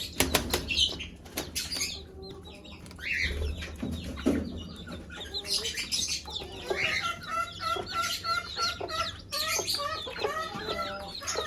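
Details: Hen calling her chicks to food; dense, overlapping high peeps and trills from many chicks, with low clucks early on and frequent sharp taps.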